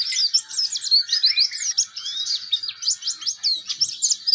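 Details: Young oriental white-eye practising its song, used for tutoring other birds: an unbroken stream of quick, high, slurred twitters and chirps, fast and jumbled, with little else audible.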